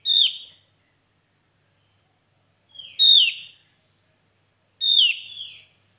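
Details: Javan white-eye used as a trapping lure, three loud downward-sliding whistles spaced about two seconds apart, each ringing with high overtones and fading into a buzzy tail, clean quiet background.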